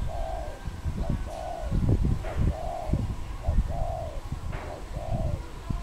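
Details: Pair of wild doves in Cambodia, 24 April 2020, one giving loud smooth arched coos about once a second, each a sustained mellow note, over low thumping background sounds.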